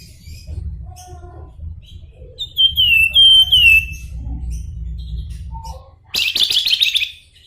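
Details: Javan fulvetta, an endemic Javan bird, singing in the flute-like 'nyuling' style: a run of clear whistled notes with slurred, wavering glides, then a short burst of buzzy chattering, over a low background rumble.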